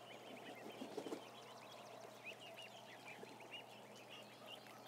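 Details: Some thousand ducklings on a live cam produce a dense, steady chatter of high, short, downslurred peeps, with a few low soft knocks around one second.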